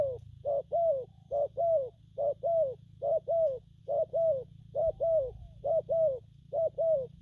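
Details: Coos of a spotted dove, styles gù phóng, kèm and gù lăn, as a steady run of paired notes: a short hoot then a longer falling one, repeated roughly every 0.9 seconds, over a low hum.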